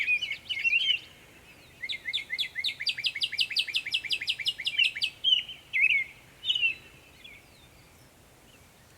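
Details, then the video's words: Northern mockingbird, Savannah, New York, 23 May 2021, producing many sounds: a squeaky opening, then a fast rattling series of sharp repeated ticks, followed by separate harsh chirps with pauses. "Northern mockingbird Mimus polygottos video, making many sounds"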